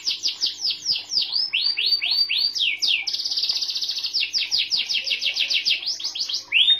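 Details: White canary owned by a young woman delivering an unbroken, varied song of swooping high notes that shift into a fast, dense trill and back.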